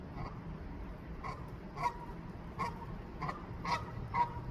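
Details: A new goose seeking a nest site in a rooftop garden in Canada honks for its mate, wiggling its neck; roughly seven short, nasal honks repeated at irregular intervals of about half a second, over a low background drone.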